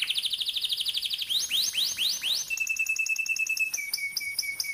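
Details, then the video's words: Canary song played to prompt young canaries: fast high trill, a few separate upslurred whistles, then a long steady whistled tone under quick repeated high clicks. "Burung KENARI GACOR NGEROLL||PANCINGAN KENARI PAUD MUDA HUTAN CEPAT BUNYI NEMBAK"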